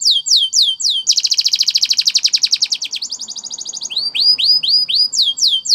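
A Spanish Timbrado canary sings high, swooping whistles, then a long, fast rolling trill and a buzzier run before more clear whistles. No other sounds.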